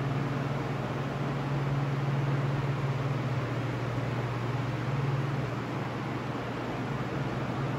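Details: Loud steady low hum and broadband hiss like a fan or motor, with no calls standing out.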